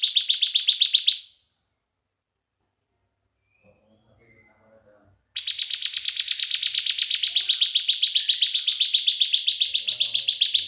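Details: Lure song of a bar-winged prinia, meant to make other prinias sing. A short burst of rapid, grating chirps breaks off into several seconds of silence, then a long, steady run of buzzy notes resumes at about four per second.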